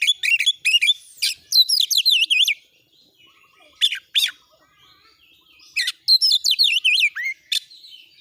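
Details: Oriental magpie-robin (kacer), persistent and agitated, delivering 'nembak' song meant to bait rivals: loud bursts of slurred, swooping whistles and harsh notes, separated by several seconds of near quiet with faint soft calls.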